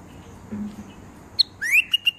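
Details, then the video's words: Bulbul giving a short burst of clear whistled notes: a sharp high chip, then a rising slurred whistle and two quick level notes, with faint background hum before it. "Bulbul pakshi"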